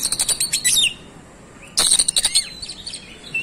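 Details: Oriental magpie-robin rapidly rolling through its song fillers: a quick burst of high chattering and sliding notes, a short hush, then another burst of rapid clicks and chirps, followed by soft whistles.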